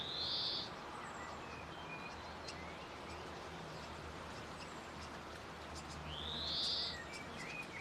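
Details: Grey fantail singing: two loud, high upward-sweeping whistles several seconds apart, with faint thin chirps in between over a steady low background hum.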